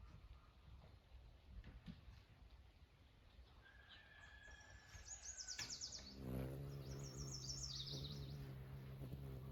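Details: Hummingbirds at a feeder in northern Nova Scotia by the beach give high, thin chips in quick squeaky bursts, with other birdsong and a steady surf rumble behind.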